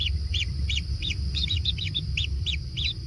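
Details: Kingfisher chicks being fed in a natural nest, giving a steady series of short, arched, high chirps about four per second, each note bending up and down, with a low rumbling background.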